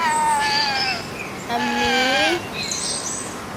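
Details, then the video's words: Friendly pet green ringneck parrot, given as talking and from Bahrain: two drawn-out, voice-like tones with rich overtones, the first sliding slowly downward, the second curving up and then down, over a steady background hiss. "Green Ringneck Parrot 🦜 Love to Talking"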